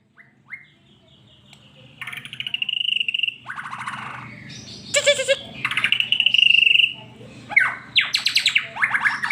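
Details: White-rumped shama song played to coax a pet bird into singing: varied whistled phrases, sustained clear notes, rapid trills and sharp rising sweeps, with pauses between bursts and a steady low hum beneath.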